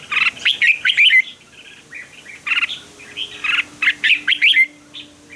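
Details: Red-whiskered bulbul pouring out fighting song for bird training; almost unbroken chains of quick, cheerful whistled phrases with fluty, rolling notes, over a faint steady hum.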